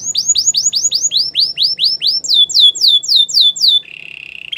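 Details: Belgian canary singing bright down-slurred whistles in quick regular tours, a slightly lower series following, then a softer flat buzzy roll to finish.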